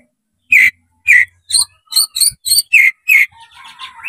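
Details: Oriental magpie-robin (kacer) with spread tail, singing to provoke rival birds to fight: eight loud ringing notes in a rhythmic series, some with a high overtone, trailing into a softer warble.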